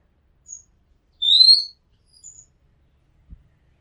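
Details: Oriental magpie-robin recorded from a house rooftop giving a single bright upslurred whistle framed by a few faint high thin notes, then a soft low thump near the end; otherwise quiet.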